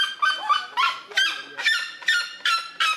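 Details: Red-legged seriema giving its territorial call: loud, harsh, honking yelps, about seven in three seconds, each note rough and slightly falling.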